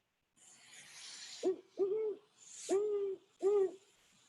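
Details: A Great horned owl (Bubo virginianus) gives four deep, mellow hoots, the middle ones longer and under a second apart, after a brief hissy rustle; a territorial call, or a call to a mate.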